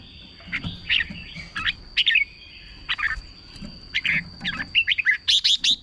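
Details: Red-whiskered bulbul, caged, singing to excite other caged birds: short bright warbled phrases of two to four slurred notes, separated by brief pauses, ending in a quicker run of rising whistles; faint low rumble beneath.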